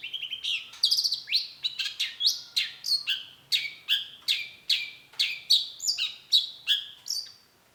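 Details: Vigorous long-tailed shrike song meant to draw a reply: a steady stream of falling, whistled chirps, a little over one per second, varying slightly in pitch.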